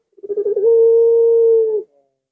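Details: Puter pelung dove recorded at midnight on a Thursday night: a short rough, stuttering burst opens into one long, steady, drawn-out coo lasting over a second, fading at the end; no other sounds.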